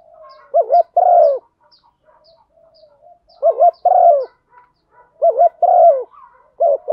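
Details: Female spotted dove cooing to stimulate a male, a recording used to lure wild males: low mellow phrases, each a quick double coo followed by a longer rolling coo, repeated about every two seconds, with faint soft ticking in the background.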